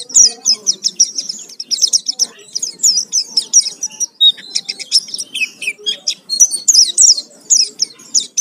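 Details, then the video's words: Oriental white-eye (pleci) singing vigorously in a full, varied lure song meant to provoke other birds: a fast, continuous stream of very high chirps, trills and twitters in quick succession, with a faint low hum beneath. "Pancingan suara pleci gacor full isian"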